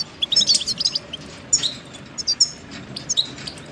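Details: Goldfinch song from a tape for teaching chicks and songbirds, short burst of quick, high liquid twittering with tinkling notes, a brief pause, then further chirps.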